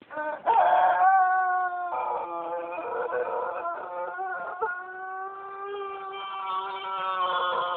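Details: Tōtenkō long-crowing breed rooster, kept alongside Koeyoshi chickens, gives one very long, sustained crow: a steady harmonic tone held for over six seconds with slight wavering and a gently rising end.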